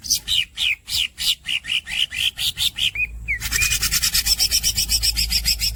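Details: Green cucak, the greater green leafbird, giving a steady train of squeaky buzzy notes about four per second. After a couple of rising whistles it breaks into a dense, fast rasping roll.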